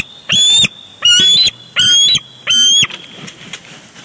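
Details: Bald eagle pair fighting over a big fish at their Big Bear Lake nest, recorded on a live camera on June 23, 2022; four loud, high, stuttering whistled calls in quick succession, then quiet.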